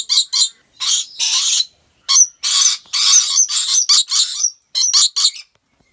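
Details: Harsh, high, scratchy screeches from a captive rainbow lorikeet in Aceh Besar, Aceh, Indonesia, delivered in irregular clusters of short and drawn-out bursts separated by brief silences.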